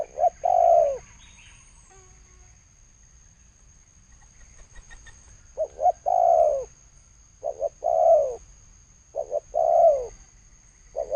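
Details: Spotted dove, thổ sấm coo style, 2020: a long falling coo, a pause of several seconds, then repeated phrases of short double hoots and drawn-out low coos; a faint high whine persists.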